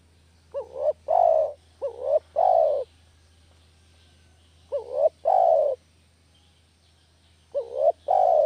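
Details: Spotted dove coos used to attract doves for catching. There are four paired phrases, the first two close together and the rest spaced nearly three seconds apart. Each pairs a brief warbled rise with a long, soft, falling coo.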